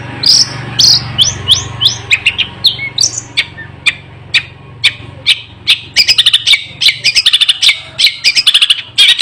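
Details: Fierce, unbroken long-tailed shrike song: varied squeaky chirps and short whistles, then from about six seconds a fast run of sharp repeated notes, with a low steady hum underneath.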